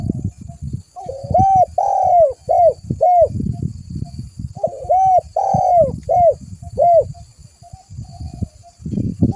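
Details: Spotted dove (tekukur), a lively caller used as lure audio, gives two full phrases: a hooked opening coo, a long falling note, then two or three short arched coos, with continuous low rumbling and thumps behind.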